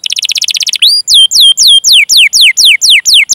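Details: Domestic canary training recording of long rolling 'cuit cuit' calls, used to prompt young, untrained or silent canaries into singing: a fast buzzy trill, then loud, clear whistled notes sweeping downward, about four per second.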